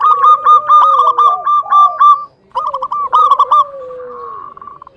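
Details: A local zebra dove singing to provoke other doves into answering, rapid staccato notes in a quick series, a short pause, then another stuttering burst over a long sliding low coo.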